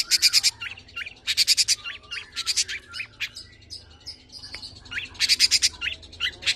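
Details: Tame long-tailed shrike in full song with mimicked phrases: loud clusters of sharp, fast chirps alternating with short, thin whistled notes, the pattern returning after a quieter middle stretch; light background hum.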